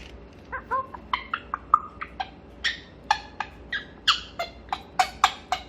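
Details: A grey parrot kept indoors chatters in the morning: a steady string of short, varied calls, some whistled and some harsh and buzzy, spaced roughly every third of a second.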